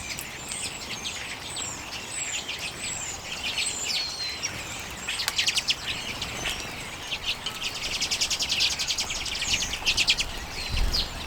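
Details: Flock of common redpolls eating sunflower seeds in late January 2022, filmed with a Canon EOS M50; thin high whistled calls early, then bursts of fast, rattling twitters and buzzy chatter.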